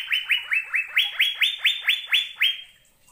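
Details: Asian fairy-bluebird song from a recording used to train caged birds to sing: a run of about ten clear whistled notes, each sliding up and then holding level, repeated rapidly over three seconds.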